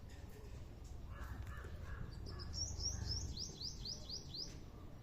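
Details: Chicken chicks, called hen babies: a quick run of about seven thin, high, downslurred peeps in the second half, preceded by softer lower chirps, over a low background rumble.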